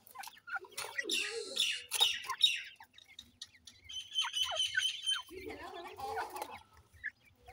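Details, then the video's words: Grey francolin chicks at feeding time, giving high squeaky chirps and squawks in bursts, with a lower chattering cluck near the end. "teetar chicks sound,Gray Francolinus bird"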